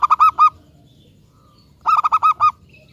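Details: Local zebra dove used as a lure to prompt other zebra doves to sing back; two bursts of four to five quick, rounded, arched cooing notes, about a second and a half apart, over quiet low background noise.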